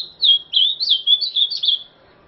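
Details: Azulão described as a 'terrorista' singer gives a short, rich warbled phrase of about seven looping whistled notes, clear and close against near silence.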